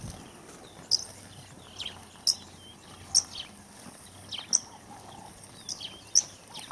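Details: Caspian plovers in the Maasai Mara, a flock of about 70, give sharp, high, clipped notes, one every second or so at an uneven pace, over a faint low rumble.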